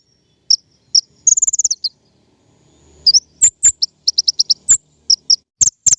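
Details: King konin, played as a lure for trapping birds: two single high chirps, a fast run of clipped notes, then evenly spaced chirps and sharp high ticks.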